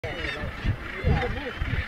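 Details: Northern gannets at the RSPB Bempton Cliffs colony, Yorkshire, on 27 June 2015 give harsh, grating calls that overlap in a continuous colony chorus, with low rumbling wind or surf underneath.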